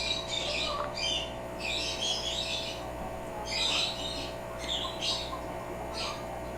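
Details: Pet African grey parrot indoors imitating its owners' sneezes: a series of short, breathy, hissing bursts, about six over several seconds, each answered by a person saying "bless you"; steady electrical hum beneath.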